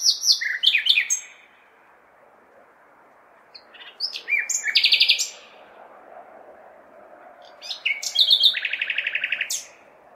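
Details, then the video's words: Common nightingale singing on a May night in a large city, calling for females: three bursts of whistles, chirps and fast buzzing trills on one repeated note, separated by pauses of about three seconds, over a faint steady urban hum. "Śpiew słowika (nightingale)"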